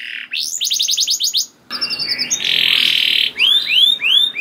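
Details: Canary lure song for prompting other canaries: a fast chatter of short notes, a brief silence, a harsh buzzy held note, then clear arching whistled slurs repeated.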